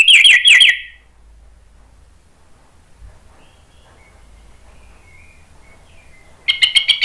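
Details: Orange-headed thrush played as a lure to get other thrushes singing: a brief burst of rapid, harsh trilled notes, then quiet with faint distant whistles, and another rapid burst at the end.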